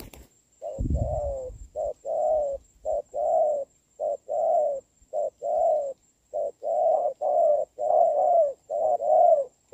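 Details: Spotted doves, a caged decoy and a big, good-voiced wild bird, contesting in the rain on 26 November 2022 while the wild one is lured in; low hoarse coos repeat in steady rapid bursts, with a brief low thump early on.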